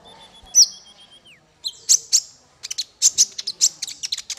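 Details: Songbird master recording for small fighter birds: an opening high whistled note with a falling slur, then a quickening series of sharp bright chirps.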